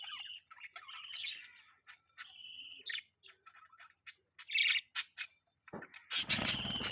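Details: Budgies call in clear whistled chirps and short two-toned warbles, some with slides. Brief twittering notes follow, then a loud harsh chattering burst at the end.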